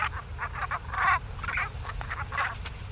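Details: Geese in a flock over West Wittering beach call constantly in overlapping nasal honks and yelps, several each second, over a low rumble. These are contact calls that keep big migrating skeins together, also given when moving between roost and feeding sites.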